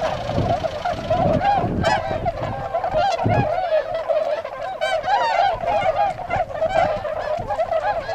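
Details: Wintering Tundra swans in Azumino, Nagano, Japan, filmed 22 February 2013 as they leave a pond to forage in nearby paddies; dense chorus of clamorous, bugle-like honks from numerous birds, some calls harsh and wavering, with light background rumble.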